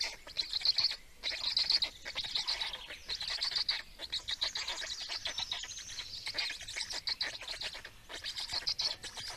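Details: Estonian black storks at feeding time, 17 May 2019: continuous wheezy, rasping chatter with loud hissing pulses repeated about once a second, overlapping and uneven throughout.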